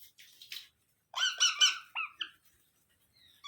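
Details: Young parrot calling with three loud, rasping squawks in quick succession, then two shorter, higher notes and a final sharp squeak, with quiet gaps.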